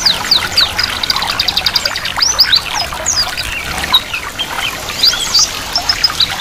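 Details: Ngiriwik song of a white-eye combined with running water, meant to prompt birds to begin singing; quick high twittering phrases and short downslurred chirps over a continuous trickling water sound.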